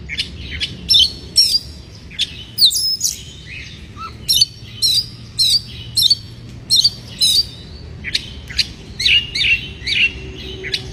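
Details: White-rumped shama in breeding condition, song used to provoke rival birds: loud bursts of sharp, high chattering and twittering notes repeated roughly every half to one second, with brief pauses, over a low background hum.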